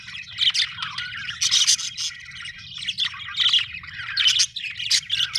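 Budgerigars chatter nonstop in scratchy, bright warbles mixed with quick chirps and squawky notes.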